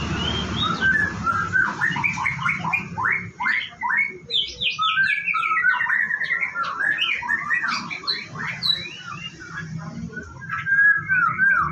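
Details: White-rumped shama kept on a bird farm, singing in its morning routine before a bath: a rich, fast, varied song of sweeping whistles and chirps, loud and continuous throughout.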